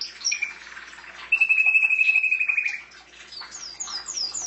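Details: Pet canary singing: a long buzzy trill held steady near one pitch for over a second, framed by fast descending sweeps and high repeated notes.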